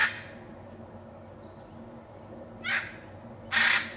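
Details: Pantanal, Brazil: a hyacinth macaw's harsh squawk at the start, then a long pause before two more raspy calls, the last louder and longer.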